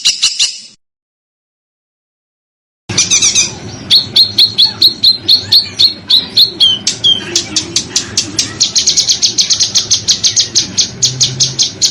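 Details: Tutor recording for training contest songbirds: a brief shrill burst, two seconds of silence, then sharp high whistled notes and a falling slur. These give way to fast, dense, harsh chattering over a faint low hum.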